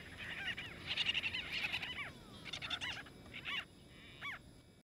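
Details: White-fronted bee-eaters quarrelling over nesting space in Kruger National Park, South Africa; a rapid run of nasal chirps early on, then scattered single arched squeaks thinning out toward the end.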